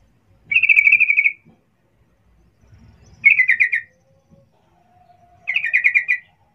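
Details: Lively calling of a sooty-headed bulbul, used to provoke a quick response from others of its kind: three rattling bursts of fast pulsed notes a few seconds apart, with a faint low steady whistle between the last two.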